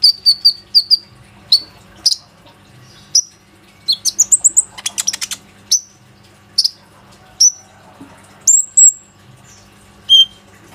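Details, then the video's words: Lively Plain-throated sunbird song meant to draw other sunbirds into singing, recorded on an Oppo A37f: repeated high piping notes, a quick rattling burst of clicks mid-way, then scattered sharp upslurred whistles and chips. "PANCINGAN KONIN GACOR INI PANDAI MEMANCING KOLIBRI NINJA LAIN AGAR IKUT RAJIN BUNYI"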